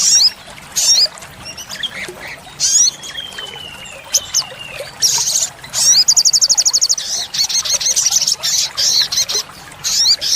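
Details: Olive-backed sunbird song used to train caged birds: loud high bursts of chirps and rapid trills, a fast even rattle of notes near six seconds, with a thin falling whistle and a low background hum.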